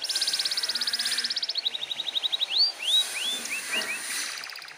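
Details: Canary in energetic, persistent song, played to provoke young canaries into joining in: a rapid buzzy trill of about fifteen notes per second, slowing into a rolling series, then several rising whistled slurs, with steady hiss behind.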